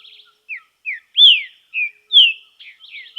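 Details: Singing green-winged saltator, training in nature: short whistled notes lead into strong downslurred whistles, with brief trilled flourishes between phrases and clean quiet background.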